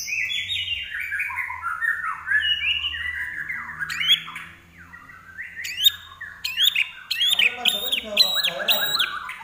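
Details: Common iora in vigorous 'gacor' song: dense stepped whistles rolling downward, a short lull, then a burst of rapid sharp high notes and chattering trills.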